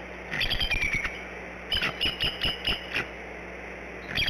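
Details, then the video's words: Female bald eagle at the Decorah nest, brooding three eggs, calling for her mate before a shift change: high, thin, chittering notes in quick pulsed series, a short run, a pause, then another burst, with background hum. "Mom calls for Dad then before shift change"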